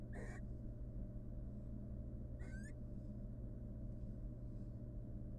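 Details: Barn owl female, wild, showing the male love in their nest box where eggs are incubated. A brief hoarse screech opens, then after about two seconds a twittering call with a wavering, descending tone, then steady hum.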